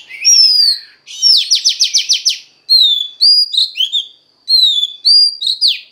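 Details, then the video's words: Female Oriental magpie-robin voice used to stimulate males: clear descending whistles high in pitch, then a fast series of about seven buzzy downward strokes, followed by more short slurred whistle phrases separated by brief pauses. "Choè than mái kích trống hay nhất"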